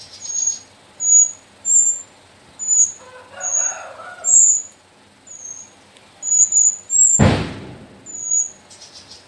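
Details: Captive sooty-headed bulbul nestlings from the Sumbing mountain slopes, four birds, squeak in quick, high, thin notes roughly every second, with a low murmur midway and a loud thump near the end.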